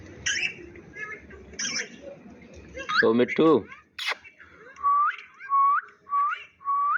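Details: Indian ringneck parakeet kept as a talking pet: a few mumbled speech-like syllables and harsh squawks, followed by four clear rising whistles spaced about half a second apart.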